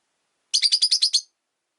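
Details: Seven quick, rasping chirps in a steady burst come from pet Rosy-faced lovebirds, three housed together in one window-side cage.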